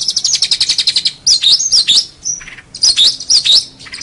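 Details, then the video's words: Long-tailed shrike song for training other songbirds: a quick chattering burst, then lively twisting whistled phrases, a short pure whistle and more looping warbled figures, all high-pitched. "Masteran Terbaik Pentet / Cendet"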